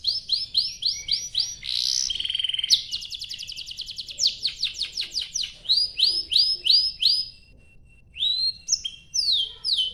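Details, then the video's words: Canary in long, energetic song meant to draw other canaries into singing: runs of rapid high upsweeping notes, a brief harsh burst, a fast rattling roll, then more repeated rising whistles after a short pause. "Kicau Suara Burung Kenari Gacor Panjang cuit cuit Ngerol untuk Pancingan Kenari"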